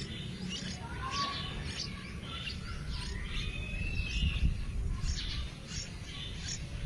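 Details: Yellow-vented bulbul chicks in a wild nest, being fed by a parent, give quick, thin, high chirps several times a second, with one rising whistle, over steady low wind rumble.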